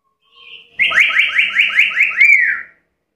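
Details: Black-capped lory producing a rapid run of six or seven loud, buzzy notes that each slide upward, ending in a slightly longer arched note, after a soft whistled lead-in.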